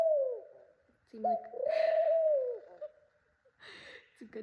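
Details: A pet female ringneck dove gives low, smooth coos, a short one then a long sustained note sliding down at the end, while seeking a nest spot in the owner's hair; a woman talks softly over it.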